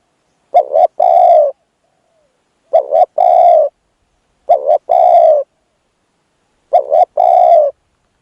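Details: Spotted dove kept as a decoy to lure a wild dove, giving four clear cooing phrases about two seconds apart, each a short doubled coo followed by a longer, steady, mellow coo, in otherwise silent surroundings.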